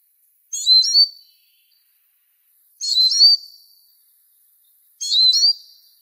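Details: Eurasian siskin song: three high, squeaky twittering bursts, each sliding into a thin sustained whistle, separated by pauses of about two seconds, no other sounds.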